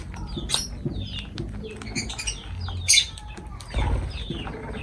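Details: Lovebirds near their food making thin, curving high chirps at spaced intervals among rustling, tapping and a low thud.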